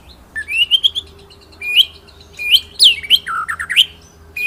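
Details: Master song of a white-rumped shama for training other birds, in the rolling 'ngeroll nembak' style: a rising series of whistled notes, then sharp upward-sweeping phrases and a run of dipping, looping whistles, with faint steady background hum.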